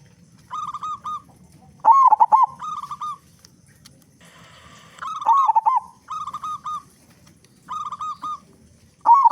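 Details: Big-voiced local zebra dove singing hard, played to make doves sing fast: groups of three or four level cooing notes and louder bubbling rolled phrases, with pauses between, over a quiet low background.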